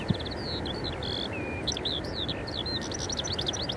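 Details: Eurasian skylark singing, Eyemouth, 30 May 2024, filmed on a Canon EOS 90D: quick bursts of high notes, a drawn-out descending whistle, looping slurred phrases and fast rattling trills, with faint low background noise.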